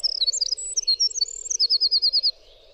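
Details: Winter wren singing a clear, fast cascade of thin, high warbled notes that runs into a crisp trill of about eight evenly spaced notes before stopping. A soft low background hum continues throughout. The recording is a tutor track for training cage birds.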